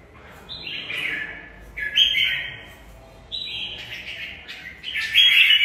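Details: Competing caged red-whiskered bulbul delivering fighting song: three separate rich whistled phrases, each starting high and stepping down, spaced about one and a half seconds apart.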